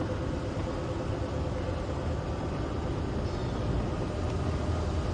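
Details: Steady low engine rumble of a safari vehicle on a sunrise drive, a broad noise with no animal calls standing out.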